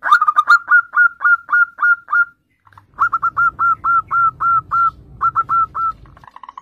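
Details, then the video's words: Lure recording of an actively singing zebra dove meant to get young birds singing: rapid series of short, slightly rising mellow coos, a brief break, then another long even run with low background rumble. "PERKUTUT GACOR syahdu buat Kelangenan Pancingan Perkutut Bahan"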